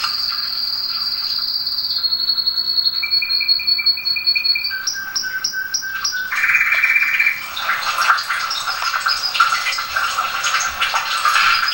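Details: Domestic canary singing, used as a tutor song for canaries: long even trills held at one pitch, each switching to a lower tone, then a denser burst of mixed rapid notes with faint background noise.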